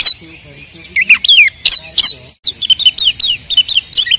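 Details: A kept oriental magpie-robin from Pemalang, Central Java, Indonesia, sings a lively run of clear whistles, sliding notes and scratchy chatter.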